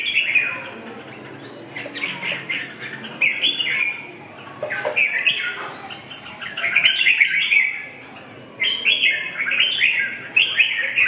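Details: Red-whiskered bulbul giving repeated lively warbling phrases, bright slurred notes rising and falling, in quick bursts with short gaps between.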